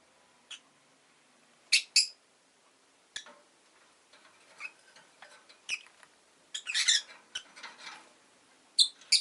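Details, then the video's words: Rosy-faced lovebird kept as a pet, producing isolated shrill chirps spaced a second or two apart, mixed with faint clicks and soft chatter, and a denser cluster of harsh notes partway through. "Lovebird Chirping Sounds"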